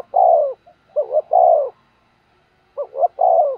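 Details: Spotted dove cooing all day as a lure for wild birds; long, mellow, falling notes and a pair of quick coos, repeated after a short pause, clean and quiet background.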